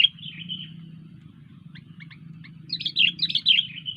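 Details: Sooty-headed bulbul singing energetically (gacor): a short sliding note, then a few sparse chips, then a dense, loud, bubbling phrase in the second half, with a continuous low hum underneath.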